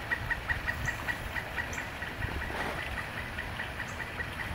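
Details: A pileated woodpecker living in a backyard with nesting trees, heard calling twice a day and especially in the evening, gives a long, even series of short, high notes, about five a second, over a steady low engine rumble.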